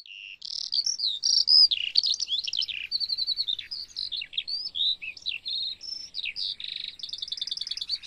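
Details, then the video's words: A lark pours out a long, varied, unbroken stream of high, rapid chirps, trills and warbled whistles with no pauses; nothing else is heard. "LARK SOUND - LARK SOUND EFFECT - SOUND OF LARK - NOISE OF LARK"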